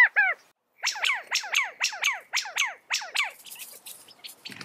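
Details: California quail calling: a short pair of harmonic notes, a pause, then a rapid run of seven downslurred, chevron-shaped chirps about three per second, fading into faint scratchy noise at the end.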